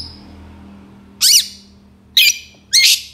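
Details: Long-tailed shrike sound used as a lure for reluctant birds: three loud harsh, raspy bursts separated by pauses of about a second, over quiet low background hum.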